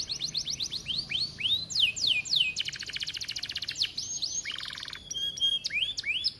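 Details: Vigorous canary song used as a tutor for other canaries: rising curled notes, a dense buzzing rattle, a low rapid trill, then steady whistled tones and upward slurs.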